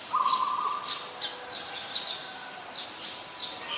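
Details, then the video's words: Adult zebra dove recorded in Ubon Ratchathani, Thailand, on 24 February 2022: a short, even, rattling trill lasting under a second opens the recording, followed by scattered high, thin chirps from other birds in a quiet setting. "นกเขาชวา (Zebra Dove)"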